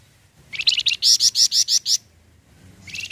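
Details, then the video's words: Flamboyan bird singing its full song, meant to stir other birds to sing: a fast series of about a dozen sharp, rising chirps that swell in loudness, then a new run starting after a short pause. "Burung Flamboyan Full Brenn untuk Pancingan bunyi flamboyan"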